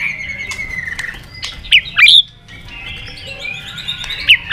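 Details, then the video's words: Fired-up White-rumped shama during competition singing: a long thin whistle, soft clicks, then two loud sharp twisting notes and a final high accent over a quiet background. "chòe lửa đập đuôi nhấp cầu hót đấu giọng rừng dài"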